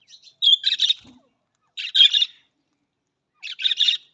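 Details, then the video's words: Budgerigar giving three bursts of harsh, scratchy chatter mixed with a bright whistled note, spaced over a second apart, with a faint low thump between the first two. "Australian Budgies parrot voice Australian parrot voice"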